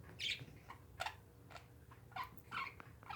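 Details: Pet parakeets calling with short, scratchy chirps and squawks spaced roughly every half second, some notes high and thin, others lower, over a faint background hum.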